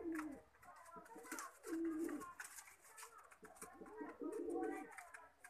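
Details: Low, throaty cooing from a Lakha pigeon, with three swelling coos spaced roughly two seconds apart amid clicks and scuffling in a small room.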